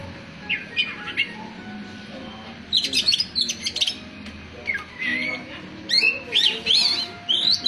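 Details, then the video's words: Oriental magpie-robin (kacer) singing: short bursts of high, varied whistled and scratchy notes, a brief phrase near the start, then denser rapid runs from about three seconds on, with a faint low background hum. "Suara kicauan burung kacer"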